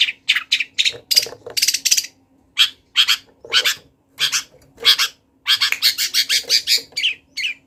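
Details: Long-tailed shrike, a wild bird, singing a lively, varied song: bursts of harsh, buzzy and chattering notes high in pitch, given in quick clusters with short pauses, some phrases sounding like mimicry.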